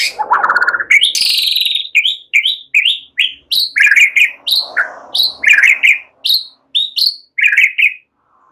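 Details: White-rumped shama singing relaxed, with cililin and ciblek phrases: a burst of warbling, then a rhythmic series of short bright upslurred whistles and paired notes, about two per second.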